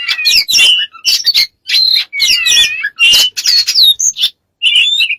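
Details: Strange, varied bird sounds: squawky, buzzy bursts mixed with warbling whistles and sliding notes, delivered in quick phrases broken by short silences.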